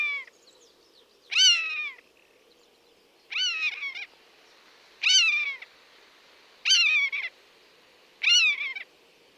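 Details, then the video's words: Buzzard, a bird of prey, calling in its natural habitat: loud, drawn-out mewing cries that rise sharply and then slide downward, five calls spaced roughly every one and a half to two seconds over quiet background. "Buzzard Sound | Hear the Wild Call of a Majestic Bird of Prey"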